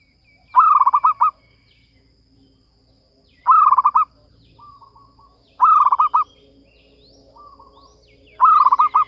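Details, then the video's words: Repeated zebra dove lure calls: four bursts of fast, stuttering coo notes arrive about every two to three seconds, separated by softer, brief trilled coos, in otherwise quiet surroundings. "Suara pikat | MERBUK"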